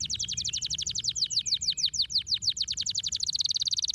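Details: Canary singing, played to stimulate lazy canaries to sing: a long run of rapid, high, descending chirped notes that speeds into a tight trill at the end, with a faint low hum behind.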